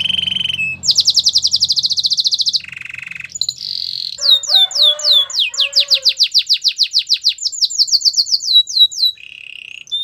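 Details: Domestic canary singing, a song meant to encourage other canaries to sing: a rapid high rolled trill, a lower buzzy burst, then a long run of quick downslurred whistled notes over soft lower tones, with a brief low hum at the start.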